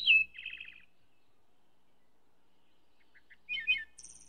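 Wood thrush singing two short fluty phrases, each a few clear sliding notes ending in a buzzy, shimmering trill, separated by a pause of about three seconds.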